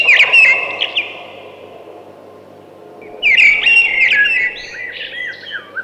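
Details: Thrush song in two bursts: a short whistled phrase at the start, a few seconds of quiet, then a longer sequence of warbled, sliding whistles and ticks.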